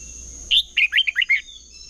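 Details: Competitive-singing red-whiskered bulbul used as a lure for training birds: one brisk phrase of six bright, warbling notes that drop and rise, under a constant faint high-pitched whine.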